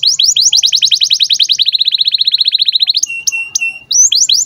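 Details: Canary giving birahi (breeding-condition) chirps, a recording used to tutor young canaries into singing and rolling; rapid high trills of sharp repeated notes, a long even run of quicker notes, then clear pure whistles before the trilling resumes.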